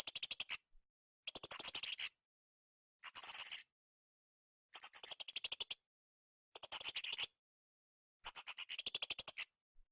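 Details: Blue-crowned hanging parrot in full voice on a cage-bird training recording: six evenly spaced bursts of piercing, high-pitched rapid chips, each about half a second long, separated by pauses of roughly a second.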